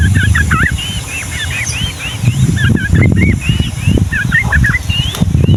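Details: Energetic 'Ngombak Banyu' rolling song of the yellow-vented bulbul for training young birds: chattering burbled phrases mixed with clear arched whistles, nearly unbroken, over loud low-pitched rumbling and thumping.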